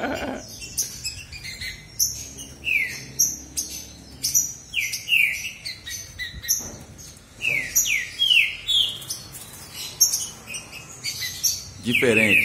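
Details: ['Contest between two male green-winged saltators: scattered clicks and taps mixed with short groups of slurred whistled notes, ending in a loud burst of sound.']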